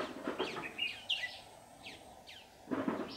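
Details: Trapping session on 15 July 2019 with a red-whiskered bulbul decoy calling to draw others in: a few warbled, sliding phrases with pauses between, over low background rumble and a short scuffing noise at the end.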